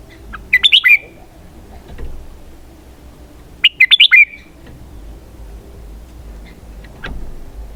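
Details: Two matching warbled phrases, each of about five fast, loud, rich notes ending in a downward slur, sung by a red-whiskered bulbul roughly three seconds apart, with faint clicks between.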